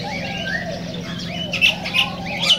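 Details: Cockatiel song meant to stimulate breeding and singing: soft whistled notes that rise and fall, then bright, sharp chirps repeated near the end, over a steady low hum.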